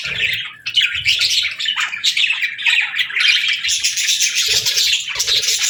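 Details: Continuous budgerigar twittering, scratchy warbles mixing with sharper chirps, growing denser toward the end.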